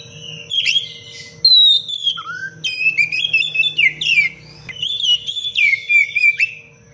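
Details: Oriental magpie-robin in full 'cengkok rapat pedas' song for training other birds. Dense bursts of shrill whistles, downward slides and quick chattering notes come almost continuously, with a low electrical hum beneath.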